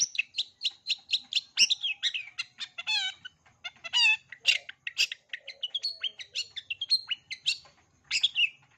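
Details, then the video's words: Long-tailed shrike's full 'isian' song, played as a teaching model for young birds. A fast series of repeated chips leads into nasal, harmonic squeals and rattling phrases, then into varied quick warbling. "Cendet isian lengkap, COCOK untuk CENDET MUDA belajar BUNYI"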